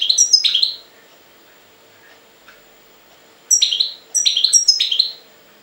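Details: European goldfinch from Jagodina, Serbia, singing loud bright twittering bursts: one chirpy phrase, a quiet gap of nearly three seconds, then three quick tinkling phrases in a row.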